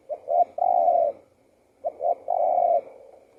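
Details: Two spotted dove phrases in close succession, each two clipped coos followed by a long steady coo.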